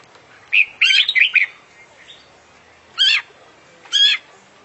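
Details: Active-singing champion oriental magpie-robin with full filler song: a chattering, buzzy cluster of rough notes, then two separate harsh, scratchy bursts about a second apart.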